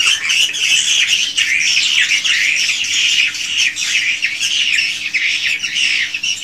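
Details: Many swiftlets twitter together in a swiftlet house, original recording; high chattering calls with quick rising and falling chirps, continuous and even.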